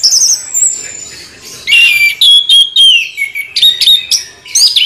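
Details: Orange-headed thrush giving a rolling song of high, slurred whistles and warbled phrases, rising and falling, with short breaks between phrases.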